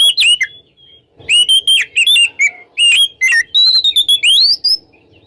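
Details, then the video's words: Oriental magpie-robin singing in the morning, used to prompt magpie-robins that have stopped singing, in a loud 'ngeplong' style: clear whistled notes with rising and falling slurs and sharp upsweeps, delivered in quick bursts with short pauses. "SUARA KACER NGEPLONG DI PAGI HARI UNTUK PANCINGAN KACER YANG MACET BUNYI"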